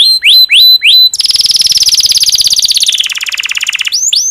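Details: Domestic canary in breeding condition, singing to prompt other canaries: four loud rising swept notes, then a long rapid trill that gradually drops in pitch for nearly three seconds, ending with more upslurs.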